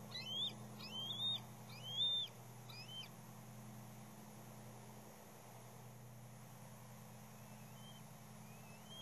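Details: At the West End bald eagle nest, a third juvenile eagle keeps coming back despite being knocked off. Four quick, high, wavering whistled notes open the recording, then only a steady low engine-like hum and a few faint distant chirps.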